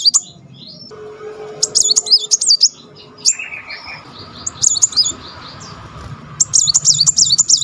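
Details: Muncang (kolibri) singing vigorously while wagging its tail, in bursts of high, rapidly looping whistled phrases with a brief lower rolling trill between them, over a faint steady hum.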